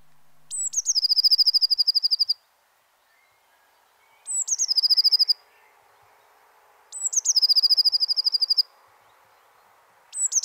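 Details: Eurasian blue tit song: each phrase opens with a high, thin downslurred note, then a fast, even trill of about twenty high notes. Phrases are repeated roughly every three and a half seconds against a quiet background.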